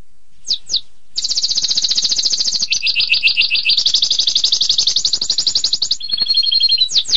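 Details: Canary delivering 'tembakan pedas', a sharp rapid-fire song style: two quick chirps, then a long, dense, high trill of rapidly repeated notes that alternates between higher and lower tones before ending in short chirps.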